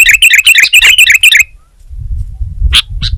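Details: Sooty-headed bulbul (kutilang) in energetic song: a fast run of bright, bubbly chirps for about one and a half seconds, then a quiet pause and two short sharp notes over low background rumble.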